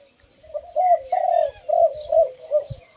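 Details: A loud, medium-voiced young Spotted Dove, recorded from a distance, gives a run of low, soft, hollow coos, about five notes in three seconds, with faint rustling beneath.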